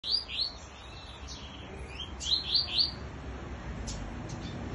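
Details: Double-collared seedeater, an unusual bird singing in contest with a free-flying one; quick series of high, sweeping chirped notes in several bursts, with short pauses and a faint steady background hiss.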